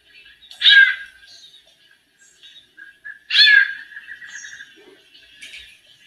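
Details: A white-necked thrush female sings in male style while warming up. Harsh, buzzy, downward notes come roughly every three seconds, one trailing into a wavering hum, with faint high chirps around them.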